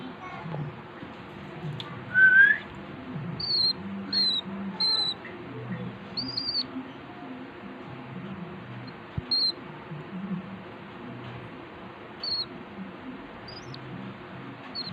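A hand-fed cockatiel begs with a loud rising whistle, then short, high chirps repeated every second or so.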